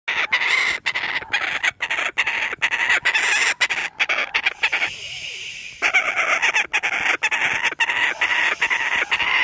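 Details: A kookaburra wanting breakfast gives a loud, raucous run of rapid chuckling notes, with a brief pause midway before the cackling resumes.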